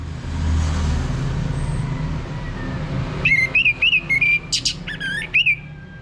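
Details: Orange-headed thrush lure song, North Bali, played so a male will sing: after three seconds of low rumbling noise, a lively string of quick, wavering whistled notes and a couple of harsh bursts.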